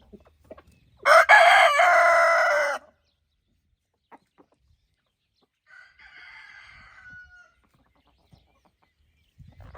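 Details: A rooster guarding hens on an evening: a close, loud, hoarse crow of nearly two seconds, then quiet, then a softer, distant crow answering a few seconds later.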